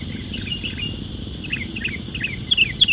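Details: Male sooty-headed bulbul meeting a wild female: short, bright chirped notes in quick irregular succession, faint at first and louder over the last half second, over a steady insect-like high drone and low rumbling background.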